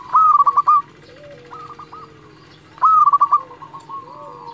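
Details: Energetic local zebra dove song meant to stir rival birds into responding: two loud bursts of fast, pulsed coo notes under three seconds apart, with quieter answering coos and sliding lower calls between them.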